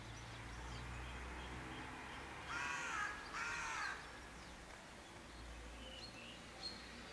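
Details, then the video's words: A raven gives two harsh, rasping croaks in quick succession, each about half a second long, over a low steady background rumble. "CANTO DEL CUERVO O GRAZNIDO"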